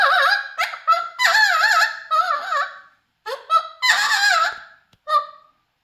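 A Mealy amazon gives loud, nasal, warbling squawks and whistles, about five wavering bursts in six seconds, sung indoors.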